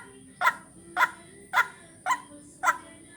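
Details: Calls of a white-breasted waterhen used as a lure, five abrupt rasping notes spaced roughly half a second apart, set against a constant thin high-pitched tone.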